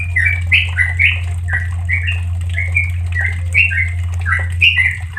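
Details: Tutor recording of a sooty-headed bulbul (trucukan) in slow ropel style: quick liquid chirps in pairs, strung together without a break, over a loud, steady low drone.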